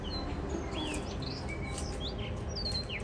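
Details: Blue rock thrush of a mated pair at a balcony in Shonan, Japan, giving the first song of spring: scattered clear whistled slurs, some rising and some falling, over steady low background noise.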